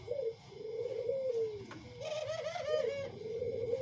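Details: Tame spotted doves, one white and one local-coloured, give soft, low, wavering coos, drawn out and running almost without pause, with a rougher, burry middle stretch; indoor room tone behind.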